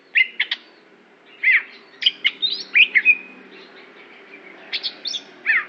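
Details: Aceh-type greater green leafbird, a competition bird, delivering scattered bright whistles and downslurred chips, some notes rising high, with a faint low hum underneath.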